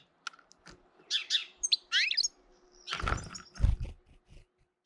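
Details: Early-April European goldfinch bullying a second goldfinch: a burst of high, scratchy twitters and bright chirps, then loud broadband rustling or handling noise with deep thuds.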